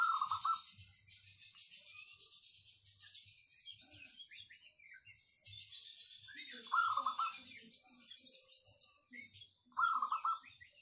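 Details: Local wild zebra dove singing a clear, dense song: three short, loud, rapid cooing trills about three to four seconds apart, with busy high chirping from other birds throughout and faint low thumps.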